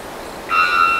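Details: Three-wattled bellbird gives its typical call in the morning, a sudden, loud, steady metallic note that starts halfway through and rings on like a horn, over soft wind in trees and insects.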